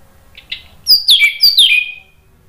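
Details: Orange-headed thrush singing, used as a lure so other birds reply: soft notes lead into two bright, descending whistled slurs in quick succession.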